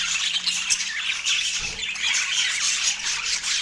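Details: Morning feeding of a pet parakeet in autumn; steady high squawking and scratchy twitters, fast and uneven, over a faint low hum.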